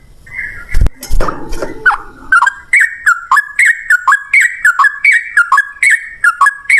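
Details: A Sooty-headed bulbul sings in the 'ropel ngalas' lure style to prompt replies from other birds: a couple of sharp knocks open the recording, followed by evenly spaced whistled phrases that drop in pitch, repeated about twice a second.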